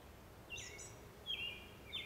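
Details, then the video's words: An immature barn swallow at River Bend Nature Center, Racine, Wisconsin, on 29 June 2012 gives three high, thin, slurred twittering notes, each falling slightly, over a soft background hiss. "Barn Swallow (immature)"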